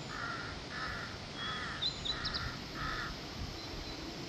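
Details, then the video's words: Harsh, hoarse crow caws repeated five times at roughly even intervals over a constant background hiss, with faint thin chirps from another bird in between. "crow bird crowing sounds to attract crows naturally"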